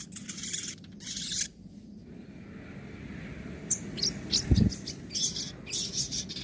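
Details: Crimson sunbird (sogon) tutor song in nembak and ngobra styles: a loud burst of high scratchy twittering, a pause, then thin sharp chips and quick trills, with one low knock midway.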